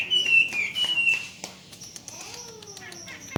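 Chinese Hwamei giving a loud run of clear, high whistled notes in quick succession, then a softer, lower slurred note that rises and falls.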